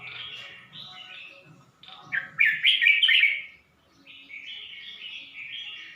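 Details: Red-whiskered bulbul kept in a cage in Suan Phueng, Ratchaburi, Thailand, 29 May 2020: soft chattering notes build into a loud rich warble near the middle, then a quieter run of slurred whistles.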